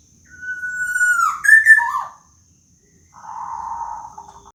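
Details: Young local black-naped oriole in plaintive wailing call: a long level whistle sliding into harsh squealing notes, then after a pause a lower buzzy nasal drawn-out note.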